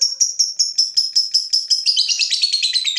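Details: Fighter lovebird provoked by a rival, answering with rapid sharp notes near five to six kilohertz repeated about three per second, then breaking into a faster, lower, buzzy chattering trill at the end.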